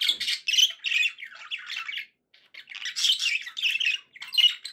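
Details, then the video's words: Budgerigars kept as pets give scratchy chattering warbles with squeaky high notes, two phrases separated by a half-second gap. "budgie sounds to encourage your parrot to eat and sing"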